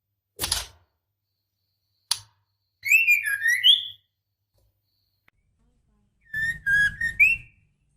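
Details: Female white-rumped shama in breeding condition calling for the male. Loud clicks lead into a looping whistled phrase, then a flatter series of short whistled notes rising at the end over a low rustle.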